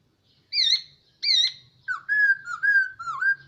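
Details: Captive hwamei, kept for about a year, sings two loud high wavering whistles followed by a run of lower, steady, slurred whistled notes, with soft background rumble.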